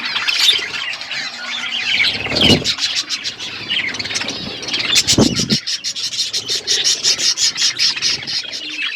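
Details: Pet budgies chirping while eating: continuous high warbling chatter with squawky notes, then rapid clicky pecking or rustling sounds repeated several times a second, with two brief low thumps.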